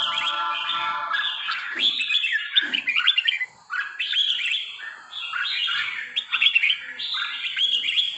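Red-whiskered bulbul singing a lively run of chirpy, fluty phrases, quick and high, with brief pauses between bursts.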